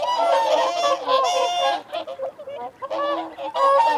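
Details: Feeding and territorial calling of whooper swans, a dense chorus of loud trumpeting honks for nearly two seconds, then scattered single notes before the chorus swells again.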